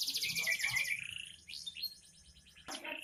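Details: Young canary delivering a fast rolling trill, then a softer passage of quick rising notes and a faint warble, cut by a sharp click near the end.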